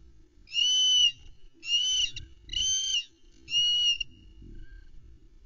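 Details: Impatient female osprey on her Loch Arkaig nest, 11 May 2020, caught by nest cam while waiting for a trout delivery: four loud, even whistled cries, each around half a second, spaced roughly a second apart, with little background noise.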